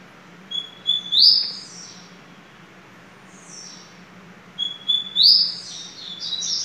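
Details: Coleiro, or double-collared seedeater, Bem Amado Família Sertão line, giving two high whistled song phrases roughly four seconds apart, each sliding upward into a sharp ringing flourish, with a faint constant low hum beneath.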